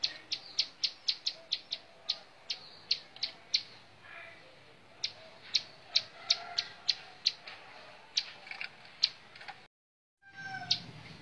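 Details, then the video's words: A bar-winged prinia sings 'montal mantul', giving quick bursts of piercing high chips separated by pauses. The song thins to scattered notes, with a short silent break near the end. Soft background noise throughout. "Suara Kicau Burung Ciblek Sawah montal mantul"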